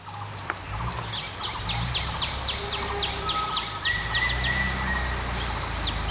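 Asian paradise flycatcher giving a quick series of high, thin down-slurred notes, about three a second, over a steady low rumble.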